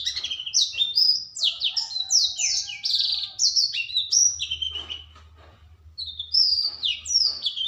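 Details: A juvenile black-throated canary, its voice starting to grow loud, sings a fast, high, twittering song of sweeping and trilled notes in bursts with brief pauses, over a faint low hum.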